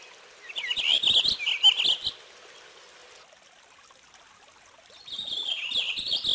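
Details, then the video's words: Purple finch singing two short, bright warbled bursts. The first lasts over a second and the second starts after a quiet gap of about three seconds, with faint background hiss between them. "Canto del Camachuelo Purpúreo"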